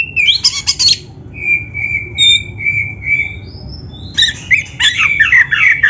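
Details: Kept Oriental magpie-robin singing as a training song: buzzy opening burst, a run of clear level whistles, a high thin upslur, then a dense harsh, jumbled twittering ending.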